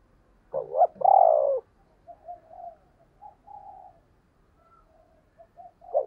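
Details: Decoy spotted dove used to provoke cooing in other doves: one loud two-part coo, a quavering lead note and a long falling hoot, followed by several faint, soft, low coo fragments.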